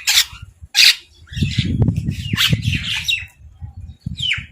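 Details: Crows fighting over food while eating, giving two loud, harsh, broadband squawks near the start, followed by a low rumbling and scattered softer raspy calls, then a final harsh squawk.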